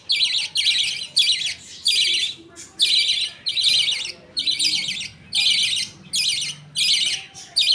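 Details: Father budgerigar feeding two chicks with millet paste while the mother and other pet budgies look on; about a dozen short scratchy, buzzing bursts in a steady pulsing rhythm, roughly one every two-thirds of a second.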